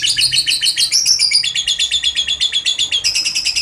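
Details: Lovebird giving the long "ngekek panjang" trill, used to prompt other lovebirds to sing. Shrill, high chattering notes repeat rapidly and without a break throughout, shifting slightly in pitch partway through.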